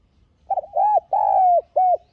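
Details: A decoy spotted dove, its call used to lure and stimulate other doves, gives a soft, hollow four-note coo, the middle note longest and slightly falling, over about one and a half seconds.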